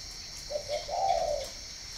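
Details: Spotted dove from a northern Vietnam breeding farm in Ba Vi. Two quick soft notes run into one sustained, warm coo, with a quiet background.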